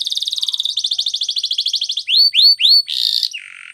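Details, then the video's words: Canary song used as training material: a fast, even trill of short high notes, then three loud upslurred whistles, a brief buzzy burst and a lower rasping note at the end. "Canary singing Training Video"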